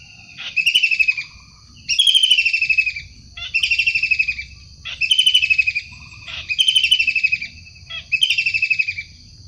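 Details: Harsh repeated calls of a wild long-tailed shrike: six rasping, rapidly pulsed bursts of about a second each, spaced regularly with short silent gaps.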